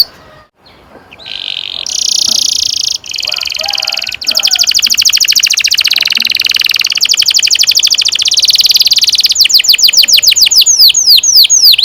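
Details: Long rolling canary song to teach young canaries, beginning faint, then buzzy high trills and a fast, steady pulsed roll ending in sweeping whistled notes.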